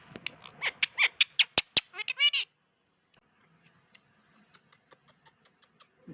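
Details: Talking pet Indian ringneck parakeet: rapid sharp clicks and brief harmonic, word-like syllables for about two seconds, then near silence broken only by soft faint ticks.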